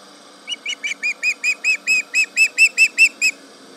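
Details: Osprey at the Charlo nest, yelling at a tractor, July 31, 2019, around 11 am: a series of about fourteen sharp, whistled yelping notes, repeated roughly every quarter second, over steady low background hum.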